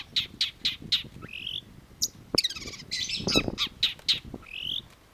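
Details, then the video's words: Long-tailed shrike (cendet) pouring out a rapid mix of harsh chattering notes, squeaky rising whistles and a scratchy rattle, with a sharp click and low background rumble. "cendet gacor"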